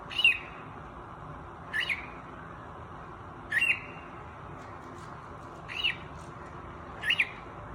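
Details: A young cockatiel that has only just started vocalizing gives short, scratchy chirps, repeated roughly every two seconds against a quiet room hum; cockatiel.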